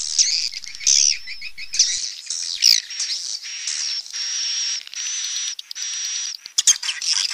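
Swiftlets twittering in a dense, high-pitched stream of chirps, buzzy trills and drawn-out thin whistles, with brief pauses between bursts.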